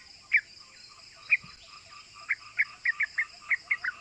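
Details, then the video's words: Yellow-vented bulbul (trucukan) giving gacor ropel 'cuk cuk' calls, a lure meant to set other bulbuls calling: short sharp chips near the same pitch, spaced about a second apart at first, then quickening into a loose run. "Pancingan Trucukan Gacor Ropel Bikin EMOSI❗ Suara Cuk Cuk GAMPANG DITIRU bikin semua trucuk EMOSI"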